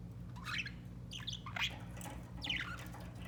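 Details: A pet white budgerigar gives quick, sharp chirps that sweep downward, about three in three seconds, with softer scratchy twitters between them over a low indoor hum.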